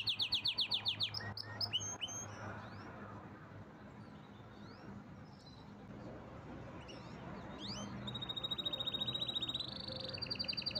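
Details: Pet canary singing: fast rattling trills open the recording, a quieter stretch with scattered chirps and low background rumble follows, then rapid repeated trilled notes return near the end.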